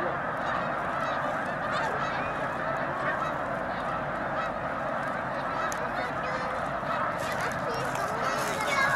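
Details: Huge gathering of snow geese at Baie-du-Febvre in Quebec, between Montréal and Québec City, producing an unbroken wall of overlapping honking and yelping from countless birds, steady in loudness throughout.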